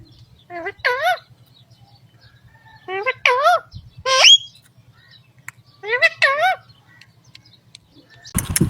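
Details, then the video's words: Green ringneck parrots interacting with each other: four groups of harsh, wavering squawks and chattering notes between short pauses, over a steady low hum, ending with a sudden noisy burst. "Funny Talking Parrots"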